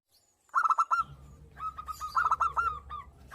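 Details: Local zebra dove in breeding condition, singing actively and answering a female: a quick run of five bright, clipped cooing notes, a pause, then a longer rippling series of similar staccato coos over a low steady hum.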